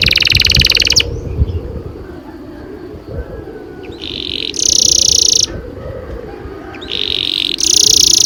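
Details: Long-rolling canary song meant to trigger young canaries to sing: bursts of high buzzy trill lasting about a second each, separated by quiet gaps, over a steady low background hum.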